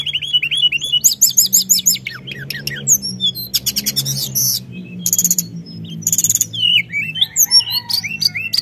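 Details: Sunda whistling thrush in full rolling song meant to stir up other birds: varied high whistles, fast trilled bursts and scratchy buzzy phrases alternating, ending in quick looping notes over a low steady hum.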